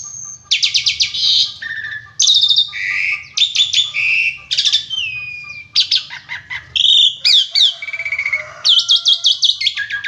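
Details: Steady, varied gacor song from an Asian pied starling, full of isian and tembakan: rapid harsh trills, clear high whistles, downward slides and lower chattering notes strung together without break.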